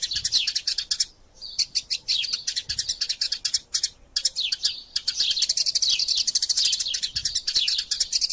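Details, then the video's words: Fighting Eurasian tree sparrows, used as a training recording: fast high twittering interrupted by brief silences at about one and four seconds, then resuming as dense chirping. "Burung Gereja Tarung Gacor Passer Montanus passeridae Eurasian Tree Sparrow erasia suara masteran"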